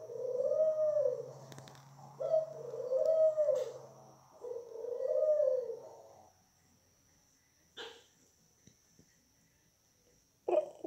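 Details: Pet Barbary dove singing indoors: three long, husky, rolling coos, each rising then falling, about two seconds long, followed by quiet with a few faint clicks and knocks.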